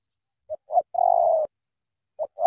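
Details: Spotted dove from Cà Mau in thổ tơ style: short coo, rising second coo, then a long, steady, buzzy coo. The next phrase begins with two short coos.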